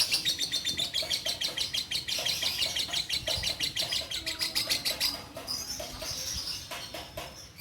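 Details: Caged orange-bellied leafbird hen, singing steadily since her mate's death and used as a master singer for young birds. Dense, high, pulsing chatter at about three notes per second, ending in drawn-out whistled phrases.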